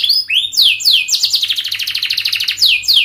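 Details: Canary song for tutoring young birds: quick downward-sweeping whistles leading into a tight, rapidly repeated high trill, ending with more swooping notes.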